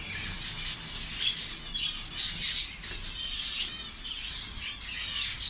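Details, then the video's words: Busy high-pitched chirping from a caged zebra finch colony in Saudi Arabia at feeding on egg food, many overlapping short calls with brief louder bursts and no other clear sounds. "zebra finch colony"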